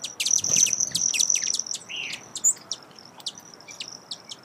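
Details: Broad-tailed hummingbird calling: rapid dry high chips about four per second over a thin steady high whistle-like tone, with a short lower sliding note midway.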